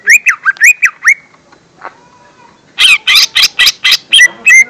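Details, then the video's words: Lesser green leafbird song played as a lure for young birds: rising whistled notes repeated in quick pairs, a quiet pause, then a burst of loud, sharp high chips in fast succession. "Suara Pancingan Cucak Ijo Mini/Cimini Bakalan"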